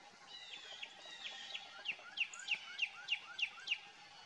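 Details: Northern cardinal at Fay Lake Road Trail, Watkins Lake State Park, Norvell Township, Jackson County, Michigan, on 27 January 2024 at 11:09. Clear downslurred whistles fall steeply, about three per second, with soft rising notes between them.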